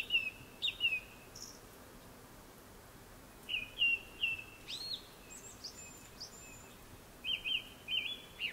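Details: Japanese thrush singing before sunset in three separate bursts, each a pair or trio of bright whistled notes, with thin, high squeaky notes between the bursts.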